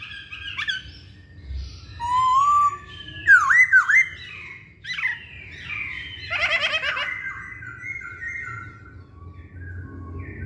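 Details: Varied masked laughingthrush song used as a lure to provoke singing, mixing sharp squawks with rising and falling whistles and a harsh, noisy burst, and ending in softer drawn-out notes.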